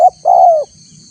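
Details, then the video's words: The end of a spotted dove lure phrase for attracting wild doves: a brief clipped note, then one long, smooth, slightly falling coo, with a steady faint high hum behind. "suara tekukur PALING DI CARI untuk memancing respon tekukur liar"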